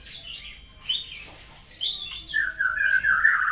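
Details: Freshly moulted white-rumped shama picking up new sounds gives a short mix of high chirps and harsher notes, ending in a sustained, wavering whistle.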